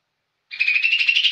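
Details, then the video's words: Young lesser green leafbird singing energetically: a bright, rapidly pulsing high trill holding one pitch, starting after a brief silence and running steadily to the end. "Cucak ijo muda super gacor"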